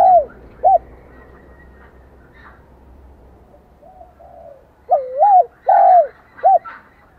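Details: Spotted dove cooing in the high-pitched son style, a brief early coo then a pause before a louder run of bent, wavering coos near the end.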